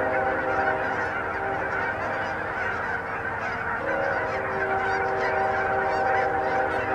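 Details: Thousands of Canada geese gathered on a Hutchinson, Kansas pond in January 2011 produce a steady wall of overlapping honks, many birds calling at once throughout.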